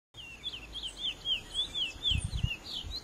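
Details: Chestnut-bellied seed-finch (Oryzoborus angolensis) in the wild, singing a flowing run of clear, sliding whistles rising and falling in quick succession; low thumps and rumbles near the end.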